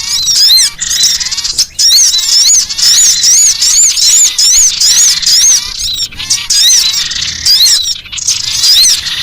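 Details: Loud, rasping alarm chatter ('ngekrek') of a collared kingfisher under threat, from a bird-luring recording: dense runs of scratchy, repeated notes in rapid sequence, broken by short pauses.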